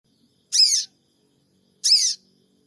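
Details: Sooty-headed bulbul lure call, locally called cingik cingik, recorded on an Android phone in Purbalingga to provoke a response: two harsh, buzzy, high chattering notes about a second apart, with quiet surroundings.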